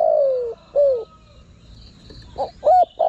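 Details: Spotted dove cooing to attract wild birds: the tail of a phrase, a long falling croon and a short dropping coo, then after a pause the start of the next phrase with short clipped notes, faint buzzing behind.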